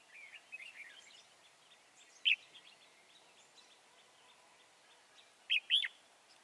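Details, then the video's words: Wild red-whiskered bulbul being trapped at Chùa Hương, Vietnam, on 24 March 2018: a few short, bright warbled notes, soft at first, then two louder chirped bursts near the end over a quiet, hissy background. "Bẫy chào mào bổi Chùa hương chơi tít mù ngày 24/3/2018"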